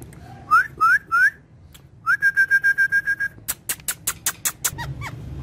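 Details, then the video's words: Pet parrots, described as talking and dancing, on a charpai give three clear upslurred whistles, then a fast even train of about a dozen short steady whistled notes, followed by sharp clicking bursts and two brief rising notes. "Funny Speaking Parrots On Charpai"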